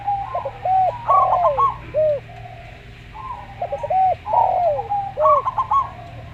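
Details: Local zebra dove singing a slow song: bursts of short staccato notes near one pitch, followed by deeper arched coos, repeated twice, with a low steady hum beneath.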